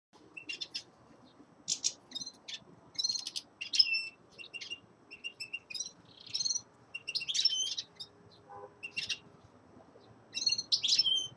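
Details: Young male common linnet singing in winter: scattered bursts of high, dry twittering notes and short buzzy phrases separated by brief pauses, with faint low background hum.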